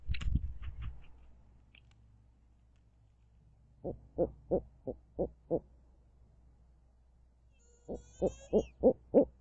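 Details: Begging call of a Midtown Tulsa barred owl. After a brief noisy scuffle come two bursts of six short, evenly spaced hoots each, separated by a few seconds of quiet.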